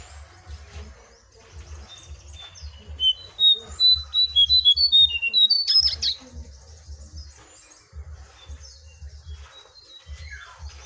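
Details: Jongkangan, wild bird against caged bird in a singing contest: after quiet low thumps, a burst of rapid whistled notes stepping up and down, then quieter again.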